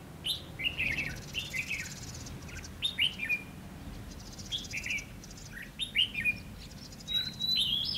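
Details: Decoy red-whiskered bulbul singing to lure and challenge wild birds at a trap, recorded 20 May 2016 in Vietnam: short warbled phrases of three to five notes, repeated every second or so, with faint distant chirps behind.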